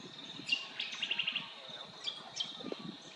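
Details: Brown honeyeater at Dundathu, Queensland, giving sharp high chirps followed by a quick run of rapid trilled notes, with more scattered chirps after; a steady high-pitched hum runs throughout, over faint low rustling.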